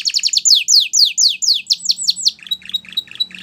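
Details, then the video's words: Canary song used to train young canaries: rapid repeated descending whistled sweeps about four per second, shifting to short sharp chipping notes with a faint low hum beneath. "Your Canaries Will Never Stop Singing !! Canary Training Song"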